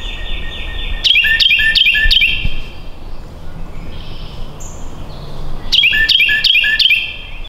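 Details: Bird singing on a tree, giving two bursts of five or six sharp whistled notes with a clear ringing tone, separated by a pause of about four seconds, over a steady background hiss.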